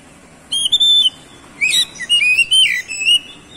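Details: Oriental magpie-robin, called kacer, sings to draw other birds into song: clear sustained whistled notes, then a quick rising slur and a run of varied warbled whistles, loud and clean against quiet background.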